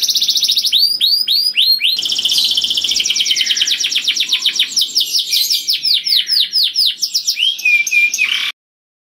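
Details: Melodious, loud canary singing suited to luring other canaries, with rapid repeated trills sliding downward, a long rolling passage of quick notes, then a silent end.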